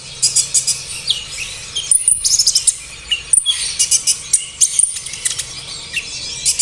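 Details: Olive-backed sunbird lure recording meant to set captive birds singing: fast bright twitters and high ticking notes in quick clusters, broken by brief pauses, with short sharp whistled accents.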